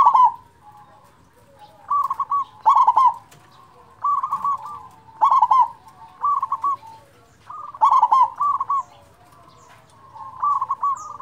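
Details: Zebra dove of a local strain with a loud voice, played to prompt lazy doves to sing: repeated rolling coo phrases, each a quick burst of clipped notes and then a gurgling trill, with softer answering phrases between them.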